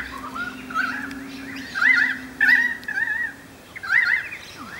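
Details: Several Currawongs in trees at Cromer, Sydney, chorus before an approaching storm with loud, rolling, gurgling whistles that glide up and down, overlapping in bursts about a second apart, over a steady low hum.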